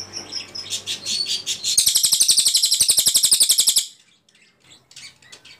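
Ashy Tailorbird: a few thin high chirps, then a loud, rapid burst of about twenty sharp, evenly spaced notes over two seconds, before fading to faint calls.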